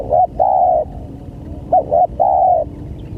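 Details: Lure call of a spotted dove for drawing in other doves, a clear low coo phrase of brief clipped notes leading into a long steady note, heard twice.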